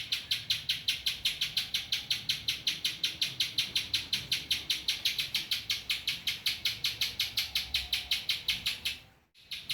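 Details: Spiderhunter song with ciblek-style filler phrases: bright, high chipping notes repeated rapidly and evenly, nearly three each second, ending in a brief pause and a soft rustle.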